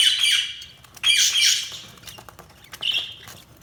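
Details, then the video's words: Budgerigars giving harsh, high squawky chirps in three bursts with short gaps, the last burst brief and clipped. "Budgies Sounds| Budgies Chirping sound"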